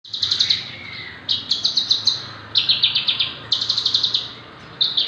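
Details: Javan bush lark, six months old, singing actively, offered as a tutor or prompt bird for others. Fast bursts of sharp high chirps, clustered in rapid runs separated by short pauses, with a faint lower slurred note early on.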